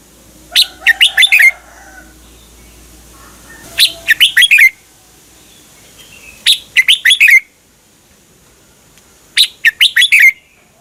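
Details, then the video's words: Thai Red-whiskered bulbul song, played for caged birds to learn or get excited: four matching phrases of five rapid, clear whistled notes, repeated about every three seconds against a quiet background. "เสียงนกกรงหัวจุก สำหรับต่อ หรือ เปิดให้นกคึก เสียงเพราะๆ"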